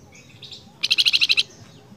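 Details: Flamboyan calling for its female: after a soft, short lead-in, eight loud, quick, buzzy notes follow in a steady rattle lasting just over half a second.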